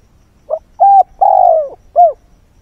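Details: Decoy spotted dove calling at dawn to lure wild birds, giving a low cooing phrase: a short note, two longer level coos and a final short coo.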